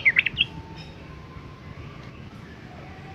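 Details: Yellow-vented bulbul (Pycnonotus goiavier): a quick burst of bubbly, chirping notes opens, then fades to faint background hum with a soft note at the very end; used to prompt caged bulbuls to answer.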